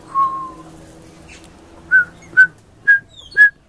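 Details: A young pied butcherbird sings very high: a long, pure fluted whistle, then four short, clear, slightly higher notes spaced about half a second apart.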